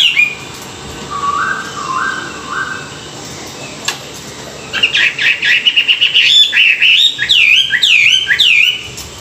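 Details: Chinese hwamei singing at morning practice meant to excite wild-caught birds: three or four slurred, stepped whistles repeated, a pause, then an energetic stream of rapid looping notes with bright upward sweeps.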